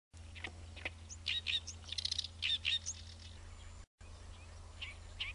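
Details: Great reed warbler (Acrocephalus arundinaceus), song.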